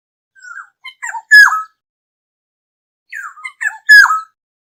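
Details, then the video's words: Black-hooded oriole giving a lure call to draw the flock: two matching phrases of a short rising note, then a loud, harsh, downslurred whistle, spaced about two and a half seconds apart against a quiet background. "Tiếng chim Vàng anh đầu đen mồi gọi bầy chuẩn mp3 | Black-hooded Oriole call sound"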